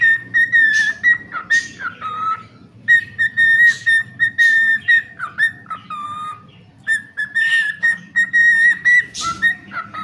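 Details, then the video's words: Singing pet cockatiel repeating a whistled tune: runs of steady, equal-pitched notes end in lower falling slurs, the phrase returning several times over ten seconds. "The charming cockatiel Milo shares some delightful singing moments."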